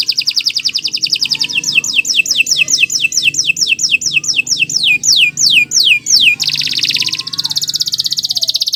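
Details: Long, vigorous canary song meant as a tutor recording for other birds: fast high trill slowing into a series of loud descending whistled sweeps, then a dense buzzy rattle and another quick trill.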